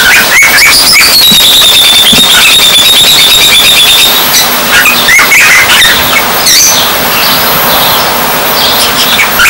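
A young cockatiel practices its whistle: wavering, drawn-out tones among rapid high chirps and chatter.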